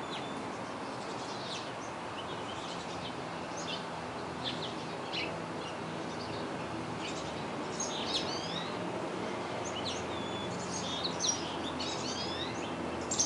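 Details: Black-capped chickadees at fledging time in early June 2012 in Denver, Colorado, give brief, high, thin chirps at irregular intervals over a steady rushing background hiss.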